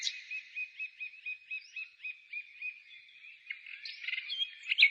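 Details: Bird song outside the city in spring, 15 May 2017: a fainter series of about a dozen evenly spaced chirped notes, then mixed twittering with busier overlapping chatter at the end.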